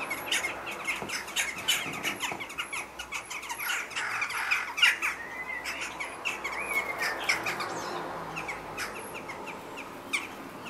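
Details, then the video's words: Western jackdaws squabble at a chimney where a pair is nesting with chicks, possibly neighbours or an unsuccessful pair harassing them: a rapid, overlapping burst of sharp, harsh 'tchak' calls rising to a noisy clamour midway. "Jackdaw's conflict on the chimney ニシコクマルガラスのもめ事"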